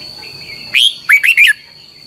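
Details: Red-whiskered bulbul phrase used for voice training, the long double-twisted style: a loud opening note, a short pause, then three rapid curling whistles. A level high-pitched hum sounds in the background.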